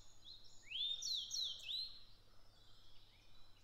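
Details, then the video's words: Grey bunting in Japan singing a loud, clear whistled phrase of swooping, rising-then-falling slurred notes lasting over a second, then fading into softer high notes against a quiet low hum. "クロジ Grey bunting"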